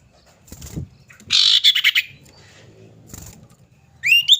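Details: Female common iora calling to a male, used as a lure: a harsh, buzzy rattling burst of rapid pulses, then a short phrase of quick rising whistled notes.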